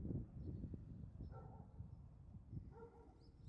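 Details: Red-crowned cranes, a family feeding on Ganghwa Island tidal flats, give two brief nasal honks about a second and a half apart, partly masked by loud low-pitched rumble and thumping noise.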